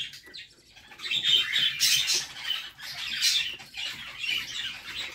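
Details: Budgie babies begging as their mother feeds them inside a nest box: rapid, grating, buzzy squawks, quiet at first, then swelling into loud overlapping bursts around the middle before easing off.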